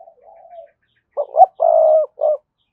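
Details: Spotted dove decoy voice for prompting other doves to call: soft, low wavering notes open, then one strong phrase of two short hoots, a long even coo and a brief closing note.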